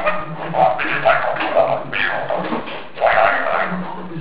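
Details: Pet orange-winged amazon perched on a kitchen door, imitating the TV: a babbling, speech-like string of raspy syllables broken by short tonal notes repeated about every half second, over a low, steady voice-like hum.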